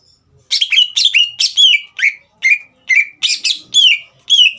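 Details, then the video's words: Green leafbird singing to provoke a young bird into song. About ten rich notes, each a rough buzzy onset falling into a clear slurred whistle, repeated roughly every half second. "CUCAK IJO GACOR INI SPONTAN MEMANCING EMOSI CUCAK IJO BAHAN TROTOL AGAR GACOR"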